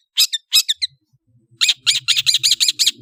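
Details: Two quick groups of harsh rasping notes, a pause, then a Long-tailed shrike bursts into a steady string of grating, buzzy calls.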